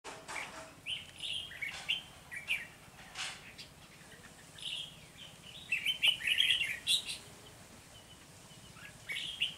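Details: Red-whiskered bulbul used as a decoy while trapping wild birds at the start of the season, 3 November 2020: bright whistled phrases of rapid warbling notes around the upper-middle pitch range, given in irregular bursts separated by short pauses.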